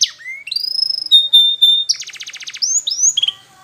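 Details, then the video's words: Canary training song: rising whistles into a long steady whistled note, then a fast buzzy trill and brief sweeping notes. "Best Canary Sounds!! Suitable for training your canaries"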